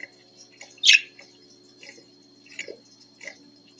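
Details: A pet budgerigar in the morning gives a few short, scratchy chirps, one louder and sharper than the rest, over a steady hum.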